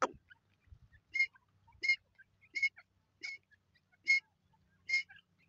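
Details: Grey francolin (Dakhni teeter) calling in a steady series of six loud, ringing harmonic notes, one about every three-quarters of a second, with faint chirps and low thumps between them.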